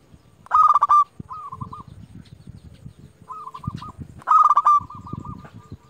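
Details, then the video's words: A local zebra dove calling rivals gives two loud, rapid, ringing bursts, each followed by a soft warbled coo, with quieter coos between them over low background rumble. "Perkutut lokal gacor JUARA Pikat terbaik paling jago memanggil lawan"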